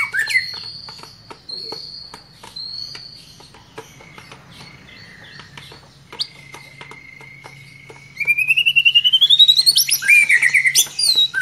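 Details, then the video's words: White-rumped shama stirred by a lure recording: a few clear whistled phrases and a long steady tone, then a fast, loud series of repeated rising chirps near the end. "Murai batu ini bikin emosi dan bongkar isian seketika"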